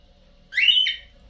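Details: A single loud cockatiel call, a bright upward-sliding whistle that holds and wavers for about half a second before dropping away, in a quiet room.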